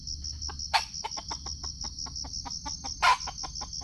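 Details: Red junglefowl in Sumatra, filmed on a GoPro during a trapping session: a quick series of short clucks with two loud, harsh bursts near the start and end, over a steady high pulsing insect chorus.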